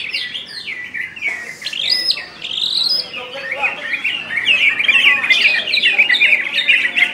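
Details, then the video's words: Caged greater green leafbird from West Kalimantan singing in the ngentrok, gacor, nembak style: a dense, fast run of whistled and chattering phrases with rising and falling slurred notes, loud and nearly continuous throughout. "Cucak IJo KALBAR Ngentrok Gacor Nembak"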